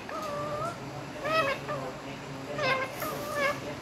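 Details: Talkative rose-ringed parakeet kept as a pet, clearly speaking "mian mitthu" in Urdu and Hindi. Several short, nasal, wavering syllables come in quick bursts against a faint background hum.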